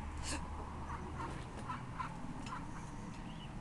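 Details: Mother duck with her ducklings outside a holiday flat in Hunstanton on 2 September 2012; a run of short, harmonic, nasal calls at a steady pace, with one sharper note near the start, over low background rumble.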